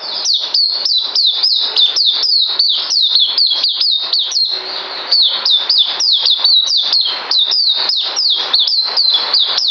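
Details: White-eye song recorded 9 December 2018: rapid high whistled notes, each sharply down-slurred, tumbling in a near-continuous run with a brief softer pause midway.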